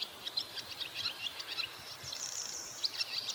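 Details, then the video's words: On a roof in Kita-Harima, Hyogo Prefecture, Japan, swallows give rapid high chirps and twitters in a busy stream, then a thin sustained buzzy note with scattered squeaks, over faint outdoor background noise. "ツバメの鳴き声 Swallows crow on the roof"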